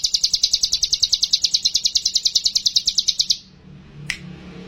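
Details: Sumatran leafbird singing to prompt a mountain leafbird: a fast run of high, buzzy, evenly spaced notes for over three seconds, then quiet with a single sharp click.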